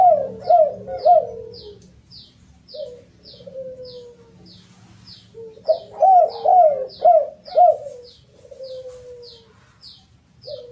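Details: Derkuku (spotted dove) cooing meant to coax other birds into song: two bursts of quick arched coos, each trailing into a long soft descending note, with faint regular high clicks throughout.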